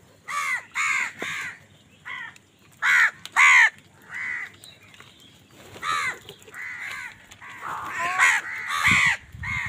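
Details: Angry house crows squabbling with other birds over food, giving a rapid run of rasping, arched caws, single and in pairs, some loud and close, others fainter, with a scuffling noise at the end.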